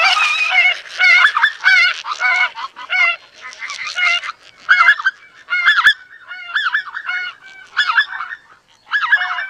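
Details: Greater white-fronted geese in a dense, overlapping chorus of yelping, wavering honks, the calls running together almost without a break.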